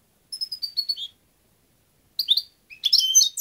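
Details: A European goldfinch gives a rapid run of five thin whistled notes falling slightly in pitch, then two bursts of bright, tangled twittering.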